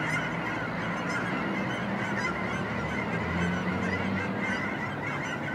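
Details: Dense flock chorus of Canada geese, Vancouver, Washington, USA, November 23, 2010; continuous overlapping honks layered over one another, a few lower-pitched calls standing out midway, constant background roar from the massed birds.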